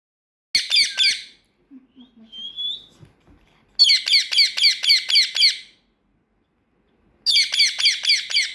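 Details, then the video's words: Pet female parrot, trained over several months, that says learned words and has lately begun to whistle. Three bursts of rapid, harsh, high chattering notes, about four a second, separated by silences, with a faint low murmur between. "Says Peekaboo, Thank You, Muah, Whistling"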